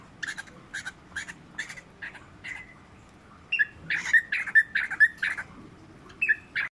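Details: Albino Whiteface Lutino cockatiel calling while mating: a steady run of short, harsh chirps about two per second, growing louder and denser in the second half before a brief pause and two final notes.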